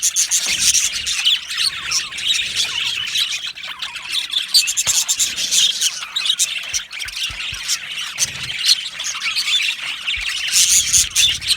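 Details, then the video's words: Australian budgerigars in an aviary colony, a dense, unbroken mass of high chirps, squeaks and scratchy twitters from many birds at once, with brief louder bursts scattered through. "Australian Budgie chirping sounds"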